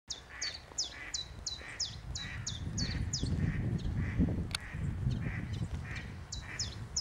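A common chiffchaff sings a steady run of high, sharp notes, about three a second, with softer low notes between them over a low rumble of wind or traffic.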